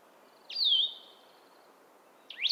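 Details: Blue-headed Vireo song, relatively cheerful and slower than other vireos, often sung high in the canopy: two sweet, slurred whistled phrases about two seconds apart, the first swooping down, the second rising, over a faint hiss.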